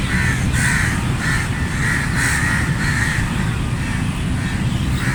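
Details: Flock of crows cawing: a steady series of harsh, nasal caws, several birds overlapping, over a constant low rumble of background noise.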